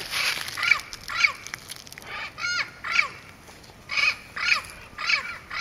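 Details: Turquoise-fronted Amazon (Amazona aestiva) at Pouso Alegre, Pantanal, Brazil, on 23 September 2013, gives harsh, nasal squawks about twice a second, some with a rising or wavering quality, strongly harmonic and loud.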